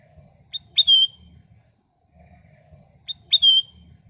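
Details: Sooty-headed bulbul (kutilang emas), a lure recording to prompt other birds to sing: a short clipped note, then a bright whistled phrase that slurs downward. It is given twice, about two and a half seconds apart, over a faint low hum.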